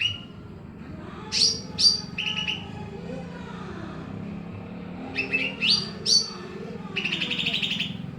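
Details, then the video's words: Greater green leafbird singing vigorously over noisy surroundings: paired bright whistled notes and short chirped phrases in two bursts separated by a quiet gap, ending in a quick buzzy trill, with a continuous low rumble beneath. "Cucok Ijo Pakpak gacor ditengah kebisingan."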